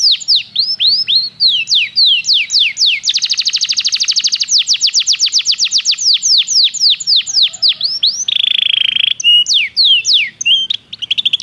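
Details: Belgian canary training song: sweeping whistled notes lead into a dense rapid trill, followed by repeated arched slurs, a short buzzy rattle lower in pitch, and more sweeping notes to close.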